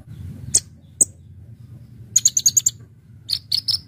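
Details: Konin, the brown-throated sunbird, in lively full-fill song used for bird luring: two lone piercing high notes, then quick runs of sharp whistled chips, over faint low rumbling.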